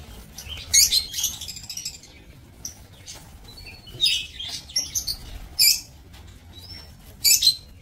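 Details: Lovebirds kept in a breeding aviary, recorded 7 June 2024, giving shrill, scratchy chattering bursts in clusters around one, four to five and seven seconds, with a few thin whistled notes between and quiet low background hum.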